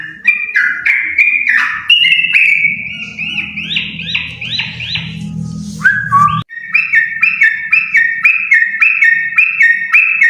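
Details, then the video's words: A pair of yellow-vented bulbuls singing vigorously: bubbly, liquid whistled phrases of quick rising and falling notes around the upper-middle range, delivered in rapid runs, with a brief pause after six seconds and a steady low hum underneath. "Burung trucuk sepasang gacorr!!!!"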